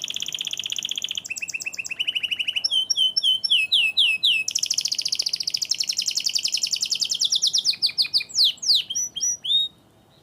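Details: Canary singing, a loud, rapid song of varied phrases: high trilled notes, buzzy rolling runs and fast repeated chips, shifting between phrase types every second or two, ending in sweeping whistles.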